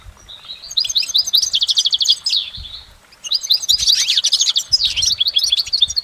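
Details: Goldfinch singing in nature: two long bursts of fast, bright twittering, full of liquid chirps, quick slurred notes and brief rattles, separated by a short pause, with faint low rustling in the background.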